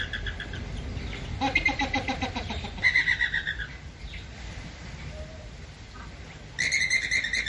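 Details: Flamingos honking in rhythmic bursts of nasal, harmonic-rich calls, several quick pulses per second, in two loud bouts separated by quieter stretches with steady background noise.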